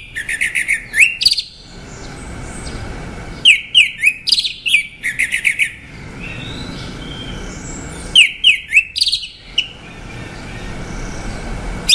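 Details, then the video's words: Orange-headed thrush singing repeated phrases of quick descending whistled notes, each burst lasting about a second or two, separated by pauses of several seconds with faint softer notes. "Tiếng chim Hoét lửa"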